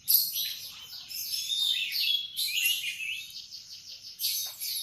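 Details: High, rapid warbling of a canary in the morning, bursts of twittering trills separated by short gaps, a sharp bright note opening the sequence, quiet background.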